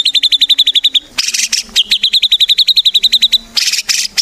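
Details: White-rumped shama singing prolifically as a lure for other shamas: rapid even trills of high notes broken by harsh, buzzy bursts, then another trill and more rasping notes.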